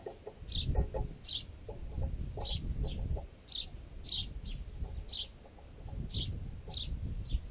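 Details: Sparrows feeding on a baguette chunk clamped in a tent guy line, with juveniles that can fly but are still fed by adults; sharp high chirps repeat steadily under a low rumbling background, with amplified pecking knocks.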